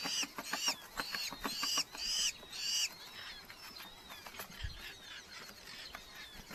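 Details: Red-footed falcons in a Hungarian breeding colony nest box, July 2025; a run of loud scratchy calls fills the first three seconds, then fainter thin whistles and scattered clicks and knocks follow.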